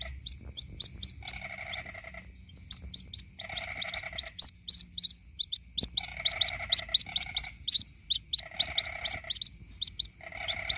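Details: Calls of a white-breasted waterhen chick to its mother, meant as a lure. Dense runs of high, sharp peeps alternate with frequent short bursts of buzzy chatter over a faint steady background hum.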